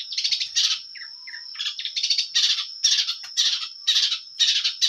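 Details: Long-tailed shrike in lively full-material song: dense harsh chattering phrases about half a second long, repeated roughly twice a second, with brief soft lower whistles between them and a constant thin high tone behind.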